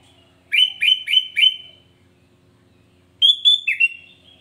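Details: Sooty-headed bulbul singing to provoke other bulbuls: two bursts of short clear whistled notes, the first four quick rising-falling chirps, then a second run of three or four sweeter whistles slurring downward, over a quiet background.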